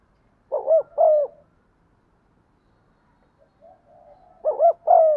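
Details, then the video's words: Soft spotted dove cooing intended to coax birds into calling: two paired phrases of a quick rising note and a longer falling coo, with a faint low hum between them. "tiếng cu thúc gù hay"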